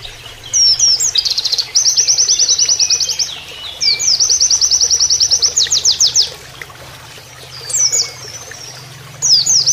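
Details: Canary-style song of an Oriental white-eye, recorded as a tutor for training birds: several long rapid trills of sharp high notes, some sections faster and sweeping, separated by short gaps, with running water in the background.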